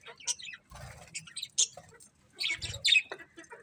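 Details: Colourful budgies give sharp, high chirps and short squeaky notes in scattered bursts, mixed with low rustling thumps and a few brief quiet gaps.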